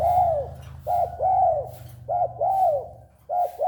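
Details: A tame spotted dove coos busily, giving soft two-part phrases of a brief note then a drawn-out arched coo, about every 1.2 seconds over a low steady hum.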